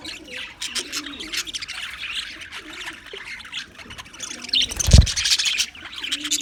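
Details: Australian English budgies on February 14, 2024, in softer, irregular twittering chatter, with a sharp low bump near the five-second mark followed by livelier chirps.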